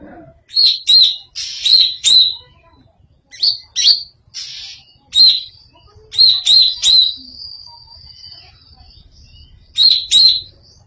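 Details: Greater green leafbird with a strange sound: bright, high staccato chirps delivered in quick pairs and triplets with short pauses, a faint thin whistle trailing after one group.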